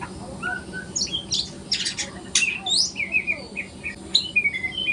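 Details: Learner White-rumped shama, speckled young bird, singing in the morning: harsh scratchy notes and clicks early, then a series of clear, slightly falling whistled notes toward the end.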